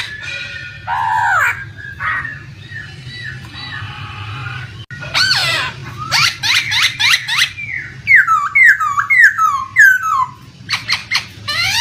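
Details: Laughingthrush (poksay) used as a training song for other songbirds sings loud, rich whistled phrases, many sliding downward, mixed with harsh bursts and quick repeated notes over a low background hum of flowing water.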